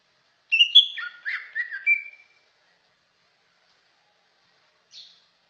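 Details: Greater green leafbird giving a short whistled phrase of slurred, falling and rising notes over about two seconds, followed by quiet and one faint chirp.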